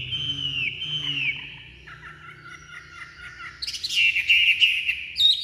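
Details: Chinese hwamei kept as a cage bird, vigorous song on being let out of its box: two long falling whistles, a lower wavering passage, then a burst of loud rich twittering phrases.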